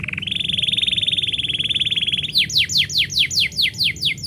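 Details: A canary sings as its owner prepares to leave, holding a long rapid even trill for two seconds, then switching to loud rising whistled sweeps repeated about every third of a second.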